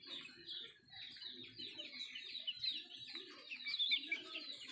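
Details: Native country chickens feeding produce a quieter, steady wash of high, thin overlapping peeps, with low murmuring noise beneath and a slight swell in loudness toward the end.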